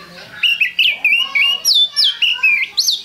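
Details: Kacer singing gacor for a lure recording: a steady series of loud, clear whistled notes, about a dozen in three seconds, mixing level tones with sharp downslurs and upslurs.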